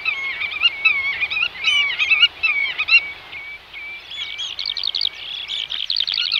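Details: Eurasian oystercatcher (Haematopus ostralegus), Netherlands, giving loud, shrill piping notes in quick series that speed up into a rapid, ringing trill toward the end.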